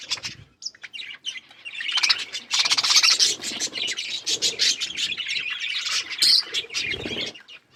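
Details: Budgerigars eating green food, chirping continuously: a dense, scratchy chatter of overlapping high tweets and buzzy notes, with brief squeaks and occasional low knocking or clattering sounds.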